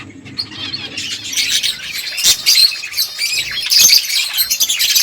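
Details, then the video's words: Finches chirping while eating food: a dense chatter of high, short chirps and twittery notes from several birds, building in loudness toward the end. "Beautiful finches eating food birds chirping sounds"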